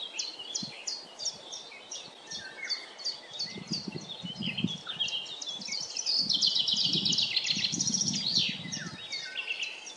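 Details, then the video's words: Common chaffinch singing in a forest: a rapid series of short, bright descending notes repeated several times, with other birds' high twittering overlapping and low rumbling background noise. "Śpiew zięby 🔅 Chaffinch singing"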